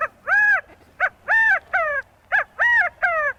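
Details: California Quail, California's state bird, giving its loud, nasal three-note 'chi-CA-go' call, long middle note and falling last note, three times in quick succession; commonly heard at Crystal Cove State Park, California.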